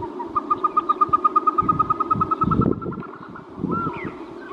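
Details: Caspian snowcock: a fast, regular string of short piping notes, about five per second, slowly rising in pitch, then a brief looping whistle after a pause. A low droning background is present.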